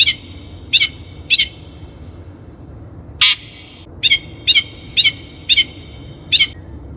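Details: Lure recording of the long-tailed shrike (cendet) for training birds: paired clicking notes trailed by level whistled tones, interrupted once by a harsh buzzy squawk, then a quicker series of doubled clicks.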